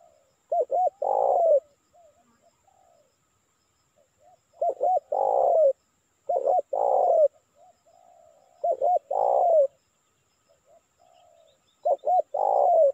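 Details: Repeated spotted dove lure calling to draw in wild birds, five phrases about every two to three seconds, each two clipped notes and a long burry descending coo, with soft faint coos between.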